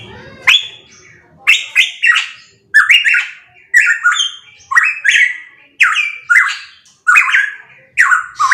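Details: Pitohui singing loudly, repeating a short, rasping two-part note that starts with a sharp click and drops in pitch, roughly once per second at steady volume, with little else audible behind it.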